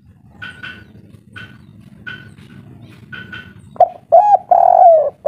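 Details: Local spotted dove in an agitated, noisy calling bout of the kuk 3 style. Faint higher chirping from another bird comes first, then loud, low, hoarse coos close the recording.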